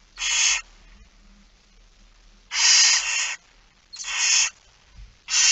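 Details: At a barn owl feeding, 06:57, 13 September 2019, long rasping begging hisses: one short, then a longer drawn-out screech near one second, another, and a fourth cut off at the end.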